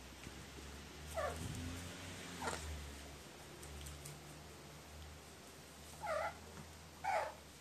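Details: Crow just woken and still sleepy, coming close to seek affection, recorded 10 June 2018; four quiet, short bent calls at about 1, 2.5, 6 and 7 seconds over a low indoor hum.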